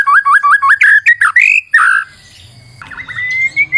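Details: White-rumped shama song used as a lure: a run of quick repeated rising whistled notes, then slurred rich phrases and a long thin rising whistle, with a faint low hum behind.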